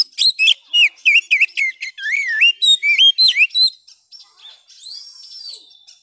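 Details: Oriental magpie-robin delivering fast, rhythmic whistled notes, several each second, with looping wavering slurs, then silence and a soft high drawn-out note; used as song tutoring for kept birds that stopped singing.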